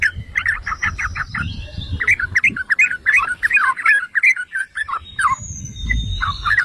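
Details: Yellow-vented bulbul (trucukan) song used to provoke other bulbuls: a series of quick repeated chirps opens it, then it flows into lively rolling gurgles, with high thin whistles overhead.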